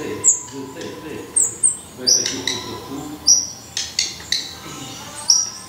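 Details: Black redstart at its nest in Portugal: thin, very high chirps spaced irregularly over several seconds, with a few soft thumps and rustles beneath.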